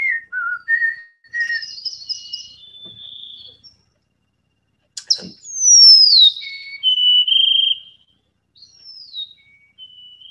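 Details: Golden-crowned Sparrow recorded in the Rockies, a mountain-dialect song of clear, high whistles opening with a long note that bends and slides downward before steadier, lower whistles follow.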